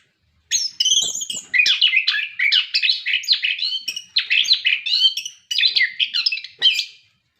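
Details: Continuous orange-headed thrush song meant to encourage captive birds to sing, a rapid, unbroken chatter of mixed whistled and rasping notes repeated in quick pulses for about six seconds.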